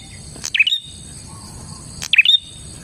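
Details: Prenjak, a bar-winged prinia in full voice, its song used to lure wild prinias: two bright, sharply sweeping chirps about one and a half seconds apart, each a tight cluster of notes, against a faint constant hum.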